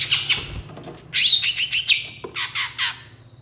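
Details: Long-tailed shrike singing as a lure for other shrikes to respond: varied chattering phrases with squeaky, rising whistled notes in a fast series, then three separate bright chirps, low hum beneath.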